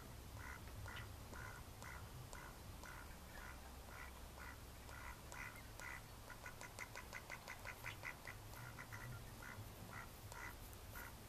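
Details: Mallard ducks, May 2014, calling in a long series of harsh quacks that start spaced and then speed up into a rapid, excited chatter near the end, with low rumbling in the background.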